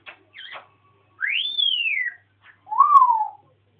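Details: Household African grey parrot ranting: a brief twisted chirp, then a long rising-and-falling whistled arc, a tiny click and a lower descending whistle, with quiet gaps between.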